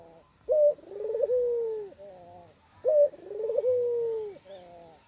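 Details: Spotted dove calling in an odd way, adding koak sounds to its usual cooing: two phrases, each a sharp brief note leading into a long buzzy descending coo, with a faint quieter bird in the background.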